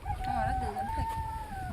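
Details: A rooster crows in a mud-house riverside village on an island in the Indian Sundarbans, one long sustained note that rises slightly and then eases off, with a voice talking underneath.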